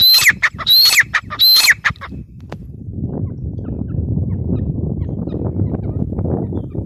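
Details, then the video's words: Grey francolin, known locally as teetar, giving three loud, harsh, strident phrases in quick succession during the first two seconds, followed by a steady low rumbling background noise with no further calls. "Teetar sound | teetar awaz | gray francolin teetar sound"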